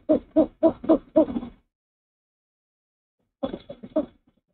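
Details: Male owl at the nest, hooting at 06:19 on 04/06/23 after flying in with a rat for the female's breakfast while she preens his cheek. Five short, soft, low hoots in quick succession, a pause of about two seconds, then three more.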